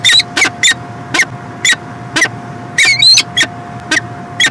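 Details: Peregrine falcon recorded in Montreal, Canada, in 2016: short rasping squeals at irregular intervals, some with upturned whistled tones, over continuous hiss and a steady hum.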